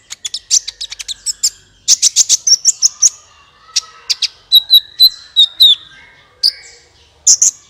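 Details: Sunbird song played to prompt other birds to sing: rapid high chattering bursts, a brief level whistled trill, and clusters of sharp chips separated by short pauses.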